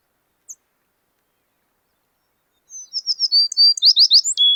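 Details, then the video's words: A single faint high tick, a pause of about two seconds, then an American tree sparrow sings one bright song of high sweet notes that speed into a tumbling warble and end on a long lower whistle. "American Tree Sparrow"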